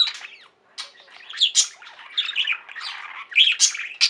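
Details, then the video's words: Budgerigars kept as a pet flock chatter and warble. A short pause early on gives way to dense scratchy twittering with high squeaky chirps. "Most Beautiful Budgie songs Ever: Budgies singing and chirping"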